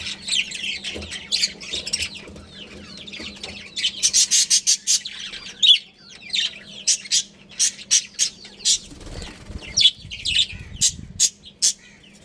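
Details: Budgies from a breeding pair in a colony chatter with soft warbled notes, then give a run of loud, sharp, evenly spaced chirps in the second half, over a faint low hum.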